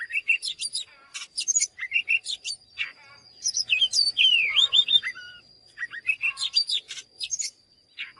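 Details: Oriental magpie-robin singing a varied run of sharp whistles, rising and falling slurred notes and short buzzy chips, delivered in quick bursts with brief pauses, over a steady faint high tone.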